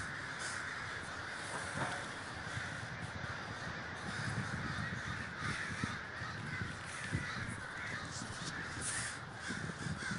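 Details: Large communal gathering of crows in Davis, California: a dense, continuous wall of overlapping harsh caws from many birds, with louder bursts every few seconds and low rumbling wind or traffic noise underneath.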